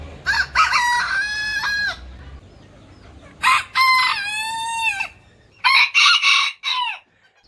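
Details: Rooster crows spliced in sequence, each a bright, strongly harmonic call with a long sustained tone that falls away, three separate crows over light background hiss.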